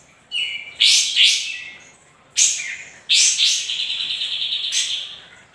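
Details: Sooty-headed bulbul singing briskly as bait to draw responses; loud, harsh-edged high phrases in separate bursts, with the last one trailing into a long wavering series.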